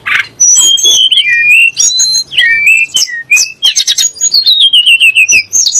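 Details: Sunda blue robin song used to rouse kacer and muri birds: bright sliding whistles, dipping slurs, then a falling string of repeated notes near the end.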